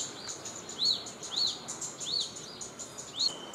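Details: Cit kemade bird in the wild, natural habitat: four distinct high, rising-then-falling whistled notes spaced about half a second apart, backed by soft continuous high ticking chirps.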